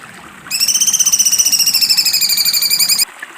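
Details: A cucak cungkok delivering its sharp 'besetan' song, a single two-and-a-half-second rattling trill, rapid, buzzy and high, steady in pitch, ending abruptly.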